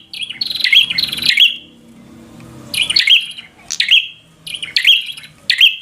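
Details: Fighter-style prinia (prenjak) song meant to provoke another bird: loud chirp bursts with crackling clicks, a long one then three shorter ones, separated by quiet gaps.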